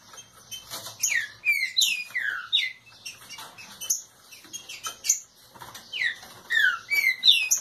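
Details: Green-winged saltator warming up, giving a rapid aggressive song of bright, slurred, downward whistles, several each second, with soft clicks and tapping behind.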